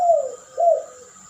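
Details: Dove from a duet lure recording of puter pelung and spotted dove: two soft descending coos, the first drawn out, the second shorter, with a constant high hum in the background.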